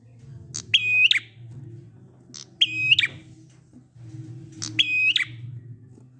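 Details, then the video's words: Prinia song in the 'ngalun' style, used to prompt quiet prinias into singing: three high buzzy phrases, each a sharp note then a harsh ladder-like rattle, about two seconds apart, over a steady low hum. "Prenjak ngalun ampuh 100% buat prenjak macet agar ikut bunyi"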